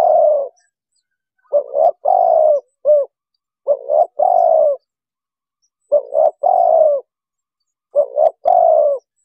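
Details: Spotted dove calls played from an MP3 box to lure wild doves for trapping: steady series of low coo phrases, two short notes then a longer falling coo, sometimes a clipped extra note, repeated about every two seconds.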